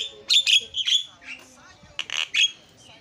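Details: Starling calling loudly, used as a lure to get other birds calling: harsh, buzzy bursts of squawks, a cluster early and another near the end with quiet gaps between.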